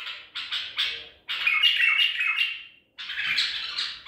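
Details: Wild-caught white-eared bulbul of Baghdadi type, caught in Madinat al-Tib, singing on 14 April 2021: harsh, scratchy bursts of quick chattering notes, then a longer rasping warbled phrase and another burst, in a small indoor space.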